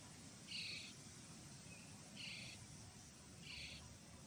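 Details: Common starling chicks being fed in Pärnu, Estonia, on 1 July 2025, giving three harsh, raspy, hissing bursts, each under half a second, about every one and a half seconds, over a steady low background rumble.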